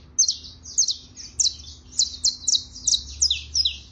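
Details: Trilling saffron finch: a steady string of high, down-slurred chirps about every third of a second, with a soft low hum in the background.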